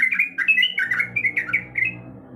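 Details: A female sooty-headed bulbul calls to the male in a short burst of loud, liquid, slurred chirps, closely packed and varied in pitch, fading out after about two seconds.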